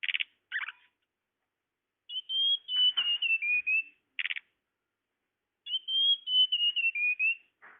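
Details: Tledekan lure sound: short buzzy chattering bursts alternate with two long phrases of high whistled notes that slide gradually lower.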